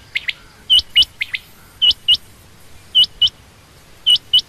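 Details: Sharp, high paired notes from a female quail, repeated in four or five evenly spaced twos with short silent gaps and a low background rumble.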